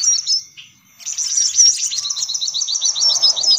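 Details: Sunbird lure sound: a few sharp high chips, a short pause, then a lively, rapid, evenly pulsing high trill to the end.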